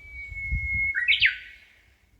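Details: Small songbird heard along a shaded walkway in a park in Amakusa, Kumamoto, Japan, during hot early summer: a sustained clear whistled note, then an abrupt loud tumbling phrase dropping in pitch, over low rumble.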